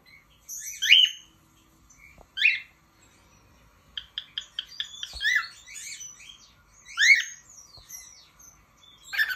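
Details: A male pet cockatiel, urged to sing, gives bright, sweeping whistled chirps in loose bursts, with a quick run of short repeated notes midway, in a quiet indoor room with background music.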